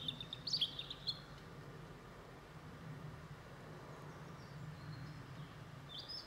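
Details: A European robin (Erithacus rubecula) gives a quick burst of high, thin twittering notes in the first second, then a couple of faint high chips over a low traffic hum, before eating berries.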